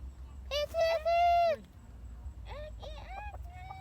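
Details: Chicken crowing in the evening; it crows both morning and evening to tell the time. One long, loud, harmonic crow holds steady, then drops away, followed by a child talking close by.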